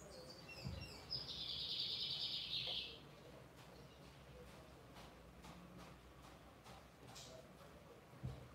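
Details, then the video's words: Lined seedeater producing a steady, high buzzing trill for about two seconds, heard through a hissy, noisy background with occasional low thumps. "BIGODE AMERICANO CANTANDO FIRME!"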